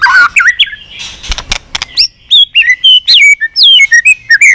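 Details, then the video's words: A White-rumped shama, trained to sing many voices and worked up into full song, delivers a fast series of looping whistles and upward-sweeping notes after a few sharp clicks and rattles. "Kích Chòe lửa Lên Lửa, hót nhiều, chòe lửa đánh đuôi kích cực nhạy.luyện chòe lửa hót nhiều giọng"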